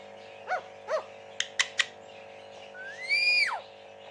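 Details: Talking parrot kept as a pet in West Bengal gives two short harmonic chirps, three sharp clicks, then a long whistle that rises, holds and drops away, with a constant background hum.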